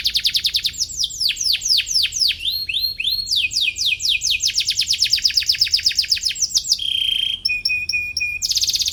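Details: Atlantic canary singing vigorously, chirping in search of a rival, used as a lure for young canaries learning to sing: fast rolling trills of sharp high notes, descending sweeps, then a steady whistled tone and metallic repeated pips.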